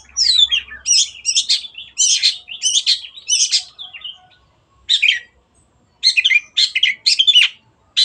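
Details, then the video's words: Cendet, or long-tailed shrike, singing a gacor training song: scratchy, jumbled chirping phrases broken by short silences, ending in quick bursts of high twittering. "MASTERAN BURUNG CENDET GACOR JADIKAN BURUNG KESAYANGAN ANDA SEMAKIN GACOR DENGAN SUARA JERNIH"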